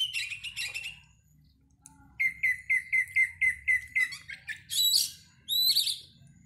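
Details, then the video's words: Contest Oriental magpie-robin used as a pre-competition lure: a run of eight evenly spaced chipping notes about four per second, then two high ringing whistled phrases, over a low background rumble. "PANCINGAN KACER SEBELUM NAIK GANTANGAN AGAR MAU BUNYI DI LAPANGAN"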